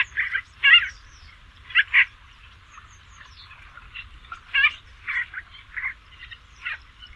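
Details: Basra reed warbler song, intended as tutor material for songbirds: loud, croaking, rasping double notes, then quieter scratchy phrases at irregular intervals, over a low rumble.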